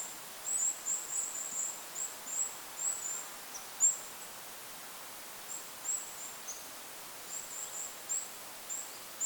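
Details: A Goldcrest (Regulus regulus) calls over a lake in a forest, giving very high, thin, needle-like 'zee' notes in quick clusters of two or three, repeated throughout over a soft background of wind hiss.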